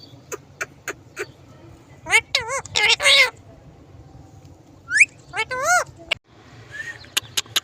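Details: Pet parrot talking, giving harsh, strongly harmonic chevron-shaped utterances in short bursts around two and five seconds, with sharp clicks and brief squeaks between them over a low background hum.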